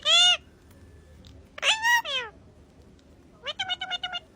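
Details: Rose-ringed parakeet (Psittacula krameri) talking: three bursts of harmonic, voice-like vocalizations, a drawn note, a two-part phrase, then a quick stuttering run of short syllables.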